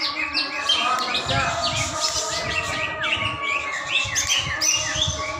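A greater green leafbird sings a rich, unbroken stream of varied whistles, sweeping slurs and chattering notes. Faint background noise runs underneath.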